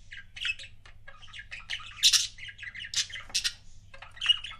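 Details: Pair of pet budgerigars in continuous busy chatter, dense buzzy chirps and squeaks with several louder harsh squawks spread across the phrase.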